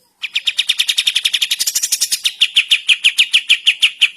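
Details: Morning song of a sooty-headed bulbul: a rapid, unbroken run of bright, harsh chipping notes, roughly three a second, steady in pitch with a slightly brighter stretch midway.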